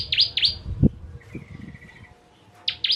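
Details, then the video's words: Bar-winged prinia (Prinia familiaris), a "crystal" ciblek, gives paired sharp, down-slurred notes, a short thin even trill, then another loud pair, with soft low thumps behind; its song is used to train other songbirds. "Ciblek Kristal Tembakan Pedas"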